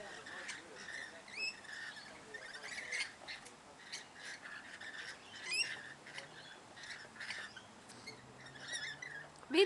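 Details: Rainbow lorikeets in Queensland, Australia give harsh, shrill screeches and chattering bursts at an irregular pace. Several birds call over each other, with a faint low hum behind.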